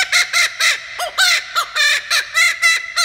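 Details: A kookaburra from the Baltimore Zoo, on a visit to an elementary school, gives a loud, harsh run of chuckling notes, about four a second, each rising then falling, in a raucous laughing rhythm.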